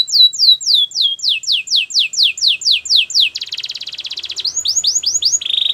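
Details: Training song of a Belgian canary. A tour of loud, sharply falling whistled notes at a steady pace gives way to a dense rapid rattle. It ends with rising chirps and a brief high buzz.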